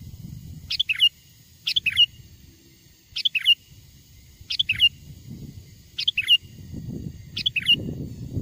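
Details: Sooty-headed bulbul, a lure recording of a wild bird's song used to draw wild bulbuls near: six short bubbly phrases, each a quick pair of sliding notes, repeated roughly every 1.3 seconds, over a faint low rumble.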